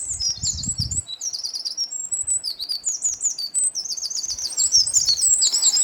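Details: Eurasian wren, wild, singing a long, rapid, high-pitched song of tumbling trills and chattering notes without pause, brief low rumble at the start.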